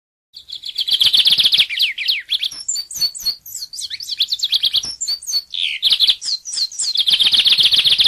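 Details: Lined seedeater delivering a long continuous song: rapid buzzy trills interrupted by varied sweeping and descending whistled notes in the middle, then returning to the fast trill at the end.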